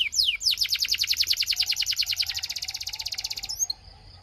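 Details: A Belgian canary sings a rising note, then a long, fast, pulsing trill of evenly repeated notes that gradually softens, followed by a brief high whistle.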